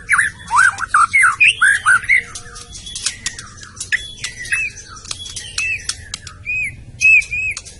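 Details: White-rumped shama from Medan delivering a burst of looping whistled notes, then sparser short whistles and clicks, some phrases repeated, with a steady low background hum.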